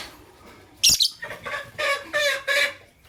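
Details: Fischer's lovebirds, a white albino and a pastel green, calling in the morning: one sharp high chirp, then four harsh, buzzy, harmonic chirps in a quick, even series over two seconds.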